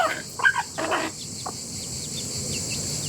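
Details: Rooster family calling together: a few loud, harsh clucks and squawks packed into the first second, then quieter, with faint high chirps from other birds over a steady background hiss.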